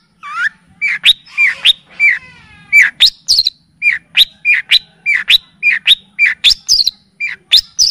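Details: Long-tailed shrike (cendet) on a tutoring recording in the full kapas tembak and cililin style: repeated downslurred whistles paired with high sharp ticks, delivered in a steady, bouncy series of well over a dozen phrases.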